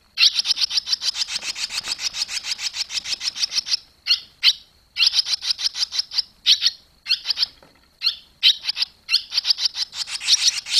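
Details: Young barn swallows fledging from the nest, 21 July 2023; fast, steady series of bright chirps repeated several times a second, broken by short pauses, on a quiet background.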